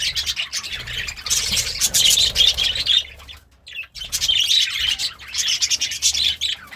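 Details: Happy pet budgerigar eating greens, giving a busy, scratchy warble of rapid chirps and squeaks in two bursts split by a brief pause near the middle.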